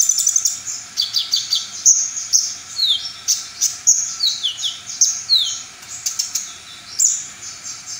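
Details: Brown-throated sunbird in lively full-repertoire song, said to make rival sunbirds emotional and show off their material. It has continuous high twittering, sharp downslurred whistles and quick trills, flowing with hardly a pause.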